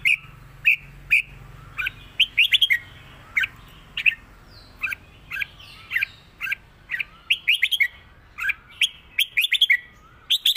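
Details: Caged red-whiskered bulbul in Thailand singing a clear southern-style song: short bright whistled phrases of quick warbling notes around mid-high pitch, repeated with brief pauses, plus a softer background bird and faint low hum.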